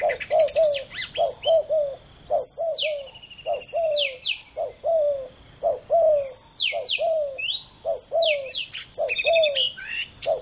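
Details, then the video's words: Spotted dove, two males competing, giving repeated low falling coos in quick groups, overlapped by many high sharp chirps and swept calls from other birds. "ต่อดินนกเขาใหญ่ ดุเดือดคู่นี้!!"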